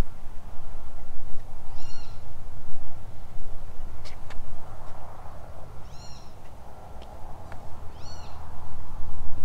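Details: A Great Kiskadee, heard and then seen up in a tree at Laguna Madre Nature Trail, South Padre Island, in the morning, gives three loud, nasal, harmonic calls a few seconds apart, over steady low wind rumble and a couple of sharp clicks.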